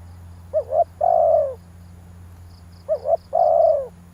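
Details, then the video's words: Spotted dove calling to excite a decoy bird: two phrases, each a pair of short rising notes followed by a long, low, drawn-out coo, with a faint steady high ticking in the background. "tiếng chim cu gáy kích bổi hay"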